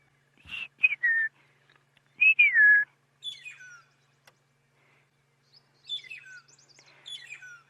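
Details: Magpie shrikes (long-tailed shrikes) heard on a morning safari drive in the Sabi Sands area on 26 September 2016 give loud, clear, slurred whistles falling in pitch, then fainter, higher descending whistles in quick bursts.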